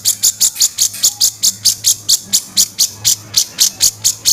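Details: Grey-cheeked bulbul harsh kasaran calling, used as master training audio: a quick run of high, dry, scraping notes repeated a little over three times per second, with a faint low hum beneath.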